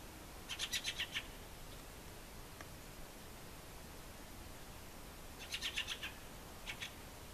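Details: Fieldfare (Turdus pilaris), call.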